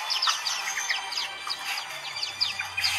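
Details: Caged white-eyes singing together as a crowd chorus, used as therapy to get caged birds that have stopped singing to sing again; dense overlapping high chirps and quick slurred whistles from several birds at once, with steady background hiss.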